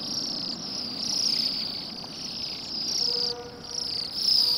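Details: Flock of Bohemian waxwings feeding in a rowan tree on a grey December day in a yard beside a road in Pushkin, St Petersburg, Russia; steady, high-pitched, shimmering trilled chorus running without pause, with a faint low hum beneath.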